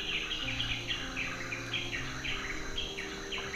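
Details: A black-rumped flameback calls in a quick run of harsh, descending notes, evenly spaced and slightly falling in pitch. Faint insect buzzing and a low background hum are also heard.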